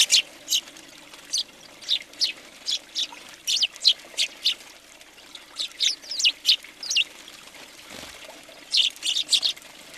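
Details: A flock of house sparrows at a winter feeder in Recke, Germany, January 2020, trading sharp chirps in loose bursts of two to four, with brief pauses between clusters.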